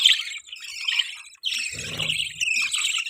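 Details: Budgie mating sounds: bright, rapid chirping and twittering throughout, with a short low rumbling bump partway through.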